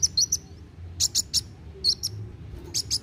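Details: Kolibri wulung sunbird giving quick narung phrases to encourage young birds to sing: short groups of two or three sharp, very high notes separated by brief pauses, with quiet low hum.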